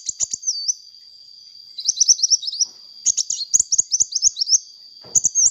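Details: Hummingbird calling energetically in a recording used as a lure: quick runs of thin, high, twittering chirps, bursts of rapid notes around two and three seconds, over a steady high whine, with sharp clicks in between.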